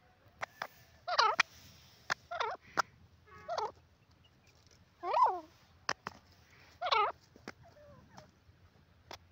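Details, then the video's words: Loud, close francolin giving coarse, grating calls in short bursts, some drawn out and wavering, with sharp clicks and knocks between them against an otherwise quiet background. "teetar ki awaaz"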